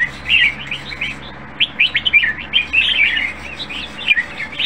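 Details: Red-whiskered bulbul in a cage, considered nearly ready for competition, pours out rich warbling phrases of quick rising and falling notes, briefly pausing mid-clip, against a soft steady hum.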